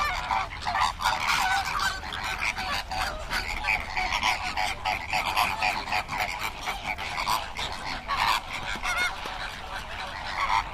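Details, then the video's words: Flamingo flock honking continuously for about eleven seconds, a crowded mix of nasal goose-like calls overlapping one another, steady loudness throughout. "Flamingo bird facts and sound for kids"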